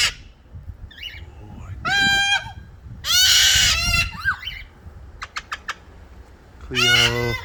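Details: Several pet parrots outdoors squawk to let the neighbourhood know they are there: harsh, buzzy, harmonic-rich squawks in loud bursts near two, three to four, and seven seconds. Short sharp chirps and softer rising notes fall between the bursts.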